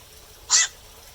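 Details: A single short, harsh croak from a black-crowned night heron, heard at night over a quiet background.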